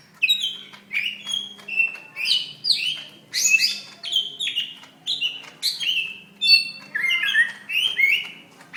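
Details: May 2016 greater green leafbird fighting call for teaching other birds: continuous, rhythmic phrases of loud downslurred whistles and squeaky chatters, about two notes per second, with a faint hum behind.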